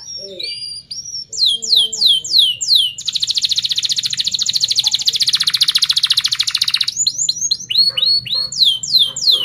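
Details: Canary singing a fast close-rolled trill used as a lure for young canaries learning to sing: repeated high sweeping chirps, then a long rapid buzzing roll lasting about four seconds, then more sweeping chirps.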